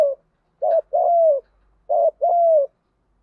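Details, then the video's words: Spotted dove decoy voice in the field fighting style, aimed at wild doves. Twice a short note is followed by a long, smooth, gently falling coo, all low and hollow, in quiet surroundings. "Chim cu gáy giọng đồng gù đấu liên tục"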